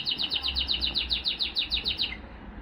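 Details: A male Timbrado canary, recorded in 2023, delivers a crisp trill of about a dozen distinct, evenly paced chirping notes over two seconds, fading out at the end, with a steady low hum behind it.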